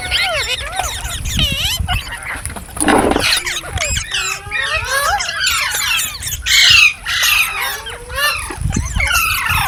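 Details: A dense chorus of green parrots, with looping whistled notes, slurred squawks and a few lower drawn-out tones overlapping without pause.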